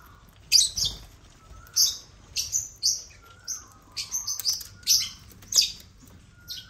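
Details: African lovebirds (Agapornis) that have taken over a millet crane keep up frequent piercing chirps and chattering squeaks, roughly one every half second, with a faint wavering hum underneath.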